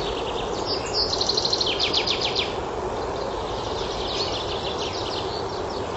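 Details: In a forest in spring, a common chaffinch sings a fast run of bright notes that speeds into a descending, rattling phrase, with fainter bird notes afterwards over steady wind-like hiss.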